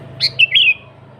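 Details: Sooty-headed bulbul in full, lively song, natural voice without mimicked fill-ins, used as a lure for other bulbuls: one bright three-part whistled phrase, a high note followed by two warbled notes sliding downward.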